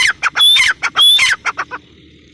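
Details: Female grey francolin giving a rapid run of harsh, squawking notes: about eight rasping bursts in under two seconds, two of them longer with a thin whistle.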